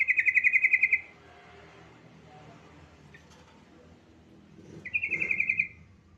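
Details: Yellow-vented bulbul song used as a lure to prompt other bulbuls to sing: two bursts of rapid bubbling notes near the start and end, separated by quiet background hum.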